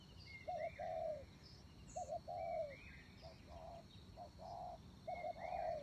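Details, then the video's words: Decoy spotted dove giving paired coos, a short clipped note then a longer falling one, repeated about four times, with a second bird's rising whistles sounding above. "cu mồi hay"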